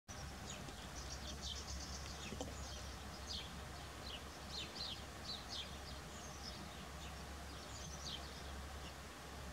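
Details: Whinchat (Saxicola rubetra) giving short, high, scratchy chirps and ticks in quick scattered bursts, over a steady low rumble of wind or distant traffic.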